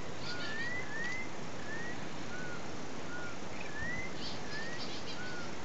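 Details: A Campo troupial, a Brazilian endemic, recorded at Santa Luzia do Itanhy, Sergipe, north-east Brazil, in November 2011, gives clear, mellow whistled notes, slurred upward and downward, in short phrases every second or two over a steady low rumble.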